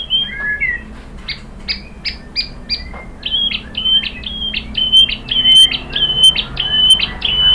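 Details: White-rumped shama song meant to get captive birds singing: a few slurred whistles, then a steady series of sharp, high, clipped notes repeated about once every half second, with faint background noise.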